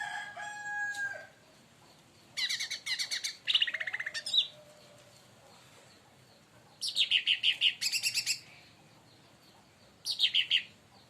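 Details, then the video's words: Agitated leafbird (cucak ranting or cica daun) provoked by another bird; faint whistles open, then three groups of fast, high chattering notes with pauses of a few seconds between them. "cucak Ranti bahan auto esmosi||dipancing Burung ini"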